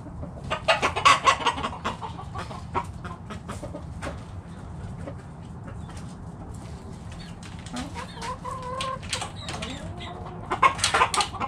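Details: Backyard chicken flock foraging in the morning: scattered short clucks and scratchy pecking sounds, a busier burst near the start and again near the end, a few brief tonal notes in between over low rumbling background.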